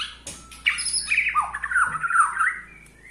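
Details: White-rumped shama, Borneo style, singing to provoke rivals: a grating, squawky jumble of notes with rising and falling slurs, fairly loud throughout.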